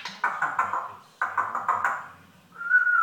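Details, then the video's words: African grey parrot talking and swearing in a yam yam accent: two runs of rapid, voice-like syllables with a rough, chattering tone, then a sustained clear whistle to finish, in a small indoor room. "African grey swearing"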